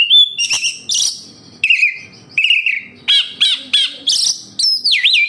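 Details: Oriental magpie-robin singing, offered as a lure to make kept birds sing more: loud whistled notes and looping slurs in short phrases, separated by brief pauses.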